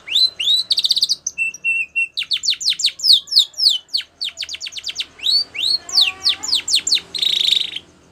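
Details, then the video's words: White Spanish Timbrado canary singing for training young canaries, rising notes and a rapid rattle opening, then steady streams of downward-slurred high chirps, a flat whistled note, and a closing buzzy trill. "White Canary Singing / Spanish Timbrado song For Training"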